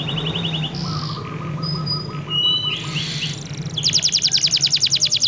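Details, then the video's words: F1 canary singing insistently, used as a model for training other birds: a short high trill, a string of lower repeated chips, scattered whistles and buzzy notes, then a loud fast rhythmic trill to the end, over steady low hum. "kenari f1sf gacor ngotot cocok untuk masteran"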